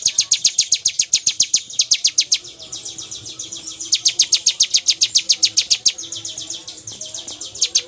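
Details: Bar-winged prinia in continuous 'bocor' singing style: long rapid series of sharp, high, clicking-buzzy notes, several per second, delivered in runs of about two seconds with brief breaks, on a quiet background.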